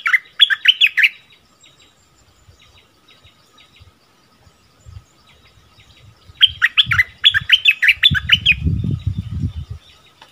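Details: Bulbul in a double-phrase song, February 2021: a quick burst of bright whistled notes, soft high twitters, then a second rich phrase. Low rumbling thumps sound underneath near the end.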